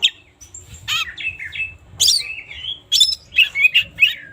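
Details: Oriental magpie-robin singing in the morning as a lure for lazy singers: quick bright chirps, buzzy bursts and slurred whistles, delivered rapidly with short gaps.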